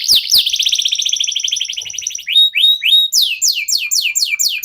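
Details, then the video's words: Local canary (kenari lokal) singing, played to get other birds singing: a long fast buzzy trill, then short rising whistles and a series of quick falling sweeps. "KENARI LOKAL GACOR TOTAL, SEMUA IKUTAN BUNYI..PANCINGAN AMPUH BIKIN CEPAT GACOR"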